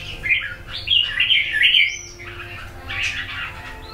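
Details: Wild-caught red-whiskered bulbul from A Lưới, Huế, red-eyelid type, about two seasons old, sings bright, bubbling phrases of chirpy notes with short pauses between bursts; faint low hum underneath.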